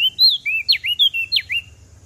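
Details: Common tailorbird from Lombok giving a short, rapid phrase of clear whistles, about eight notes in two seconds. Notes alternate between level slurs and steep downward sweeps, with faint low hum behind.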